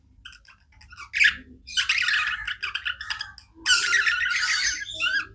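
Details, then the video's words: Pet budgies chirp without pause: a few sparse notes, then dense overlapping chatter of buzzy warbles and rasping squawks, building to a loud, sustained scratchy burst toward the end. "Budgies non stop chirping sounds"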